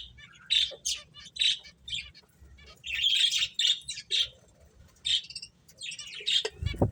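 Finches give quick, high chirps in bursts of two to four notes, with brief nasal squeaks between; a low hum runs underneath and a short thump near the end.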